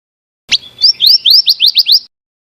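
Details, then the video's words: Female scarlet minivet calling: one sharp high note, then a quick run of about six thin, upward-slurred whistles, each sweeping sharply upward, delivered in under two seconds against a silent background. "suara burung bara api bertina"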